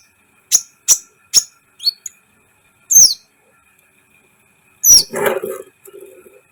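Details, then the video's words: Kolibri ninja sunbird song used to excite other birds: four evenly spaced high sharp chips, a thin downslurred note, then a squeaky burst followed by a lower rustling, scratchy sound. "Masteran KOLIBRI ninja gacor , agar CEPAT EMOSI"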